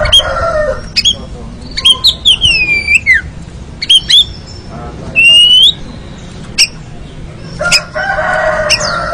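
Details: Oriental magpie-robin (kacer) ngeriwik training song: mixed clicks, looping whistled slurs and a long rising whistle, with harsh buzzy chatter at the start and end.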